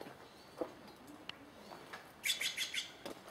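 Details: Wild bird recorded in early April 2017 at Takilma, Oregon: a quick burst of bright, high chirps clustered in under a second, with a few soft clicks and faint rustling before and after in a quiet rural setting.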